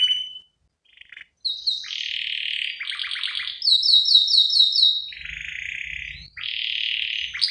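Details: Canary song from a female luring the male, in gacor cengkok isian style for lure and master use: buzzy rolls alternating with a quick series of rising chirps and pulsed trills, with brief gaps and some low rumble.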